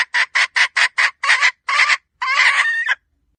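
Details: Female red junglefowl calling, a lure sound for decoy trapping: about nine short, harsh, buzzy notes in quick succession, then a longer drawn-out grating note to finish.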